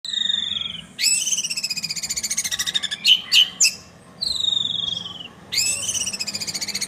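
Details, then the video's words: Long-tailed shrike singing a clear, melodious song of bright whistled phrases in bursts, with a few sharp, loud notes in the middle and a quiet pause before the phrases return. "cendet gacor sirrrrr syahdu"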